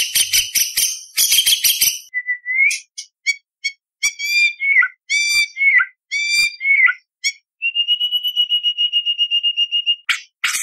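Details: Actively singing white-rumped shama performing competition 'isian' and 'tembakan' phrases: harsh rattles, then clear mid-pitched whistles and slurred notes, a long even trill, and a closing burst of noisy chatter.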